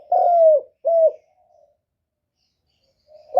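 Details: Lure spotted dove calling to entice wild doves: one long, loud coo that falls in pitch, a shorter coo, a brief soft murmur, then silence before the next phrase starts.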